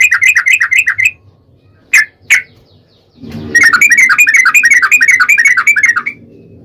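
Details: Yellow-vented bulbul giving a long rapid rolling song, used as a lure to make another bulbul sing: fast runs of liquid chattering notes, a short gap with two sharp notes, then another long even trill.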